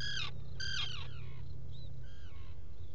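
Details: Black guillemot calling from its nesting burrow at Seal Island NWR, Maine, burrow cam, 07-05-2018, early morning: two loud, rich harmonic notes that bend downward, followed by softer answering calls and a low hum.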